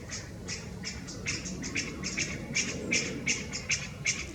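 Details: Chinese bamboo partridges heard from further back, 11 March 2023: rapid series of short, clipped "pyu pyu" notes, about three per second, some sharper and louder toward the end.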